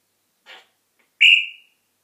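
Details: African grey parrot whistling: a short noisy note, then a loud clear whistle that slides slightly downward and fades, in a quiet indoor setting.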